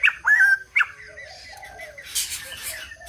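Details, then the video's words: White-crested laughingthrush giving two loud, sharp whistled bursts, then lower, drawn-out mellow notes and a brief harsh rasp. "Chim Bạch Đầu Ông / Hót Đỉnh Cao"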